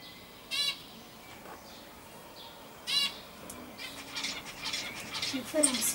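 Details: Common starling (Sturnus vulgaris) song, 26 May 2016: two harsh buzzy rattles about two seconds apart, then a busy jumble of grating notes, clicks and thin high whistles.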